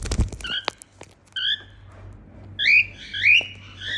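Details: Happy female cockatiel whistling: a few tapping clicks, then steady flat whistled notes, followed by three louder rising-and-falling whistles about half a second apart, over a quiet indoor hum.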